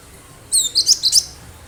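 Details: Energetic wild cinereous tit recorded to lure other birds: a short phrase of four or five sharp, high chirps, each quickly rising and falling, over faint steady background noise.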